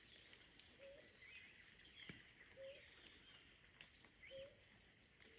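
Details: Blue ground dove (Claravis pretiosa) recorded at La Bramadora wetland in Sopetrán, Antioquia, Colombia, 17 September 2023. Three brief, low, muted hoots come roughly every two seconds over a constant shrill insect hum, with faint high bird notes.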